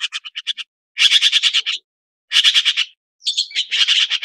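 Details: Red-billed blue magpie (Urocissa erythroryncha), also called Chinese blue magpie, giving harsh, rapid chattering bursts, each a string of raspy notes lasting about a second, separated by short pauses.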